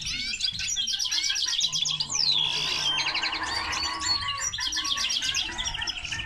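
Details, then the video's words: Common linnet crossed with canary, delivering dense, high rattling trills that give way to a long downward-sliding whistle, then more buzzy rolling phrases continuing without a break. "Mixto de pardillo y canaria - هجين طائر التفاحي مع الكنار"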